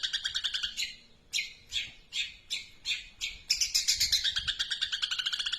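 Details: Long-tailed shrike singing a long, sustained song: series of harsh, buzzy chattering notes with rapid trills, rhythmic pulses accelerating into a dense rattling stretch near the end.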